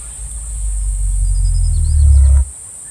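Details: Cassowary giving its very low-frequency booming call, which carries through dense forest foliage. A deep rumbling boom swells steadily for over two seconds, then stops abruptly, with a steady high insect hum behind it.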